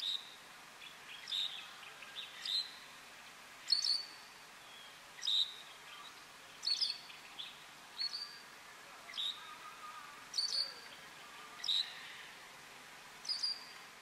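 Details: A great grey shrike (Lanius excubitor algeriensis) gives short, sharp, high notes about once every second and a quarter over faint steady hiss; Tazarka, Tunisia, November 2019.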